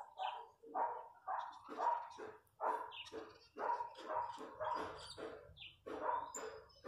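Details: Loud chachalaca chorus in open countryside: coarse, barking, repeated notes roughly once a second, overlapping voices rising and falling, with faint higher chirps from other birds.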